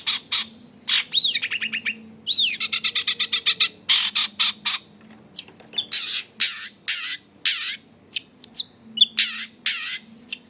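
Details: Long-tailed shrike singing as a lure to excite other shrikes: harsh rasping bursts, a fast rattling series of rising notes, then varied squawky mimicked phrases, with a faint low hum underneath.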